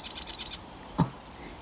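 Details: A Marsh Wren in spring marsh reeds in Vancouver, BC gives a quick, high rattling trill of about five dry notes in half a second, then a single dull knock.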